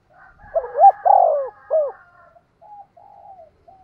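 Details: Spotted dove used as a decoy bird, giving its calling coo: a short cooing phrase of three low mellow notes, the middle one long and drawn out, followed by fainter softer coos.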